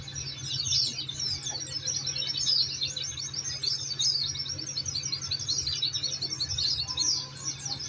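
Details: Oriental white-eye song used as a tutoring and therapy recording to prompt caged birds to answer: continuous rapid, high, twittering chirps and trills with no pauses, dense throughout, over a steady low hum.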